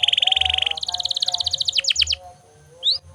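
A canary sings rapid, high rolling trills, shifting from one fast buzzy phrase to another, then into quick descending slurs and a final rising whistle.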